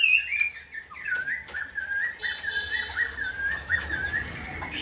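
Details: Caged, hand-tamed Chinese hwamei singing, a bird described as strong-spirited and good at fighting: a steady run of clear whistled notes that dip and rise, with a few sharp clicks and faint rustling behind.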